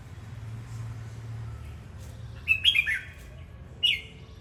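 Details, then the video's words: Red-whiskered bulbul singing while dancing; after two quiet seconds a quick cluster of bright, warbled notes rolls out, followed by one more short chirpy phrase near the end, over a low background hum. "Chào mào hót múa"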